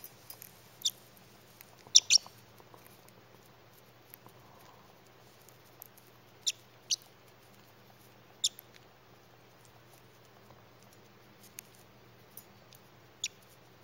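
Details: A young female pet parrotlet eating broccoli gives sparse, very short, high squeaky chirps, single or in quick pairs, a few seconds apart, in a quiet room.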